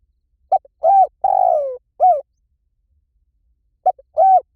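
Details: Lure calling of a spotted dove, one full phrase of short clipped coos leading into a long, slightly falling coo and a final note, then a pause and the start of the next phrase; no other sounds.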